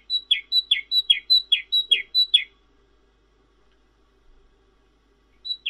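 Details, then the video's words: Cinereous tit (glatik wingko, glatik batu) song: a clear high note dropping to a lower buzzy one, repeated about eight times in quick rhythm, then silence before one more phrase begins. "Suara Glatik Wingko Merdu dan Bening"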